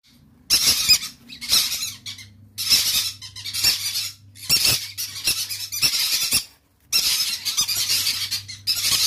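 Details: Semi-adult pair of hyper red factor pineapple green-cheeked conures, a breeding pair, give harsh, scratchy screeches in bursts about once a second, with brief pauses between, over a faint low indoor hum.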